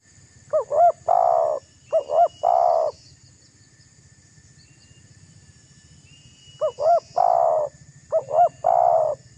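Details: Vigorous spotted dove cooing to provoke and press a rival, used as a lure: four phrases, each two quick arched notes then a longer throaty coo, in two pairs with a pause between, over a low pulsing hum.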